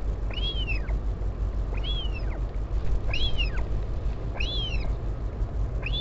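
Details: Northern royal albatross colony at Taiaroa Head near Dunedin, New Zealand, 16 July 2019, as a parent visits its chick: rhythmic arched whining calls roughly every 1.3 seconds, wind rumble throughout.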